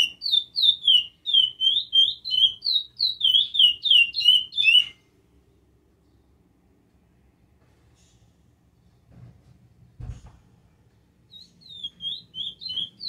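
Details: Curió singing a great deal: a fast run of warbled, whistled notes sliding between high pitches, repeated rapidly for about five seconds, then near silence with a low thump, before the song resumes faintly near the end.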